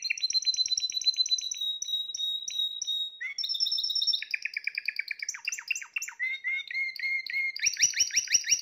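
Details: A Spanish Timbrado canary, one of the owner's 2020 young birds, sings a continuous run of high, rapid trills and rolled tours, shifting between metallic chimes and bubbling phrases.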